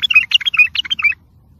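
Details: Bulbul song played for training and motivating other bulbuls: one quick phrase of about a second of rich, chattering, warbled notes, rising and falling in a bubbly run, then near silence.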